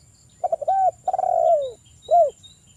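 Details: Spotted dove singing, used as a lure to get other doves calling: stuttered opening notes and a short coo, then a rolling long coo gliding downward and a final clipped arched coo, over a faint constant high whine.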